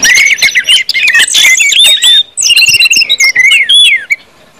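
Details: Orange-headed thrush, a compilation of its ngeplong song style used to stimulate other birds to sing; rich varied whistled and mimicking phrases with sliding notes and harsh clicks, dense and continuous, then a brief pause mid-clip.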